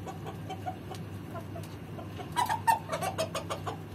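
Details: Swedish rooster together with a hen: after a low steady hum, a burst of short, mid-pitched clucks comes in quick, uneven succession over about a second, then fades.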